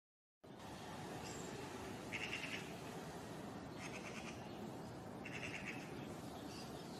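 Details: Eurasian magpies, a pair nesting in a courtyard in spring, giving harsh, rattling chatter and alarm calls, three short volleys about a second and a half apart, over a steady background rumble.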